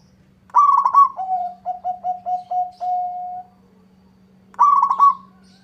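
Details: Zebra dove, local variety, singing keenly to goad a rival into answering: a bubbling trill, seven short even coos stretching into a long final note, silence, then the trill again over a soft low hum.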